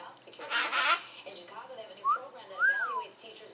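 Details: A Hahn's macaw mimicking laughter indoors gives a harsh burst, then two short, rising-and-falling squeaky notes in a laugh-like run, while a person speaks softly nearby.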